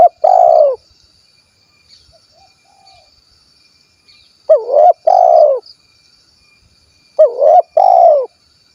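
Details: Loud, clear coos of a spotted dove of the 'kuk 1' kind, Cilacap, Central Java: three repeated phrases roughly every two and a half seconds, each a hooked upslurred note followed by a drawn-out, slightly falling coo.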